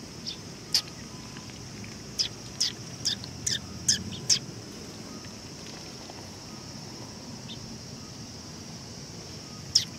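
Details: Sparrows coming to a Tenmangu shrine to be fed, 18 August 2020; a cluster of sharp, high chirps in the middle, long near-silent gaps, and one last chirp at the end over a soft hum.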